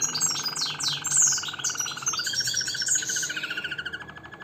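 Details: Harz Roller canary delivering a smooth rolling trill that steps up slightly in pitch partway through, overlaid by sharp high chirps and twitters from other birds nearby.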